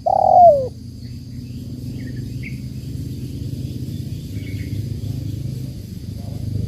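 One loud, mellow coo from a spotted dove opens, then fades into a steady low rumble with a few faint chirps from small birds.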